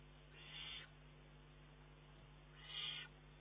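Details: Two hoarse, hissing screeches about two seconds apart from an eagle-owl chick pressing its mother for more food although prey is present, June 2011; low background hum.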